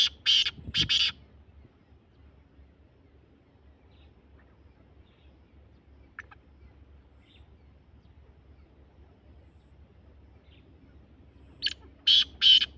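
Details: Black francolin giving two short bursts of harsh, rasping double notes, one at the start and one at the end, with near silence between them.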